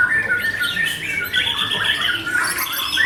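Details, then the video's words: Owned white-rumped shama singing with small-bird material, recorded at a bird club's 25th anniversary event; dense, continuous stream of high, rapid chirps, trills and squawky notes with little pause, in a busy room. "murai batu milik Om Aldy Putro joyo || materi burung kecil"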